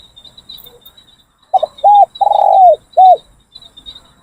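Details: One cooing phrase from Spotted Dove training decoys: a short note, a rounded coo, a long drawn-out coo that dips at the end, and a final clipped coo, with a steady thin high whine behind.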